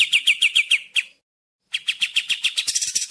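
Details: Sooty-headed bulbul (kapas tembak) in a clean recording of its natural voice: a rapid string of crisp, high chirps, a half-second break, then another quick chattering burst that grows brighter toward the end. No other sounds are heard.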